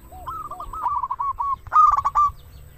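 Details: Singing local zebra dove: a soft, bubbling rolled coo with two faint low notes before it, followed by one loud, crisp staccato phrase that ends in a drawn-out trill.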